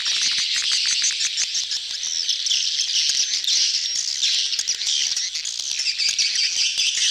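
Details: Many swiftlets calling together in a mating crowd, a "betompok" attracting sound: relentless shrill twittering and squeaky chirps, thick and unbroken, with clicking pulses scattered throughout.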